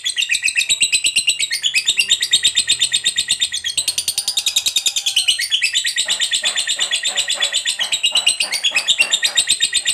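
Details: Long ngekek chatter of a fighter lovebird, intended to stimulate other lovebirds: ten seconds of continuous harsh, rapid pulses, with pitch jumps around four and six seconds and faint lower tones beneath.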